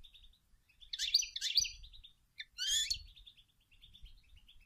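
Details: European goldfinch female, calling and singing to stimulate males to sing: bursts of buzzy, tinkling high notes around two and three seconds, with soft twittering between and a thin low background rumble.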